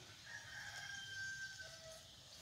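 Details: F1 red junglefowl from Vietnam, kept as a decoy bird, giving one drawn-out crow: a steady, fairly high tone held about a second and a half, then a brief lower note, over constant insect hiss.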